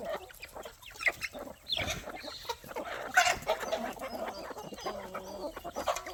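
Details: Chickens, roosters and chicks at evening food time on a poultry farm: a busy mix of short clucks and squawks from many birds, overlapping, with pecking and rustling noise.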